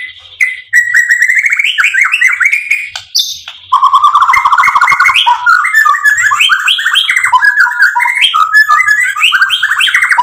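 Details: White-rumped shama in loud, rich song meant to provoke and excite other shamas: a continuous flow of varied whistled and warbled phrases, sliding up and down, packed with quick notes.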